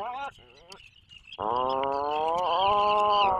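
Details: Atlantic puffin calling in a cozy nest burrow 21 miles offshore from Maine, 2024 season; after short broken notes and a pause, one long loud steady moan with rich overtones holds and rises faintly at the end, high thin background tone throughout.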